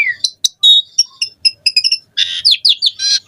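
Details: Asian pied starling song, used as a lure for other starlings: a falling whistle, sharp clicks, a series of high chip notes, then a loud harsh rattling phrase of repeated buzzy notes.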